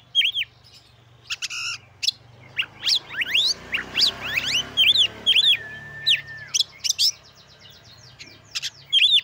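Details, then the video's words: Oriental magpie-robin singing to excite rival magpie-robins into breeding readiness and song. Scattered arched whistles, quick upslurred notes and a long flat whistle over a faint low hum. "Kacer Gacor Pancing Emosi dan Dongkrak Birahi Kacer Lain Agar Lekas Gacor"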